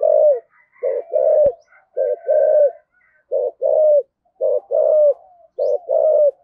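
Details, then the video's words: Spotted dove in the 'thổ sấm' voice style, cooing 'thúc gù'. Paired low coos, a short note followed by a longer, slightly falling note, repeated about once a second. One sharp click near the start. "cu gáy giọng thổ sấm thúc gù rất cực đỉnh"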